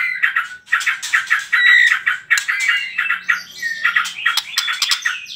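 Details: Provoking song of a white-rumped shama, used to get other birds singing: varied chattering phrases, a clear drawn-out whistle, and high rising and falling whistled notes later on, with a faint low hum.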